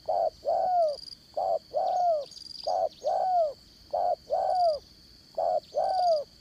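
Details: Decoy spotted dove for trapping, singing the 'đồng son' voice in 'dán cổ' style. Paired coos repeat steadily: a brief low note, then a drawn-out falling note, four pairs in six seconds. Shrill insects hum throughout.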